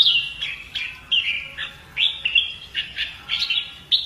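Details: Red-whiskered bulbul singing a training fighting song: crisp whistled notes, many starting with a sharp upward flick then falling, delivered in a quick series about every third of a second.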